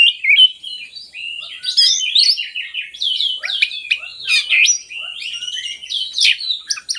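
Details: Oriental magpie-robin song played as a lure for quiet kacer birds. A continuous, lively jumble of whistles, buzzy trills and scratchy chatter comes in rapid bursts throughout.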